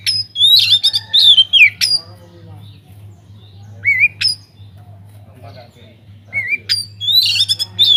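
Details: White-rumped shama (kacer) in full song inside an aviary, used as a lure for other birds: clusters of loud, sharp whistled notes and downslurred phrases, pauses of a few seconds between bursts, steady low hum behind.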